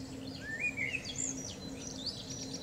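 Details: A common blackbird singing in the morning sun gives a short phrase of slurred, fluty whistles that rise into a high, scratchy twitter, over a steady low hum.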